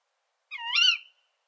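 A single sharp, hoarse Tawny Owl call from a female, a rising then falling "ke-wick" lasting about half a second, in an otherwise quiet background.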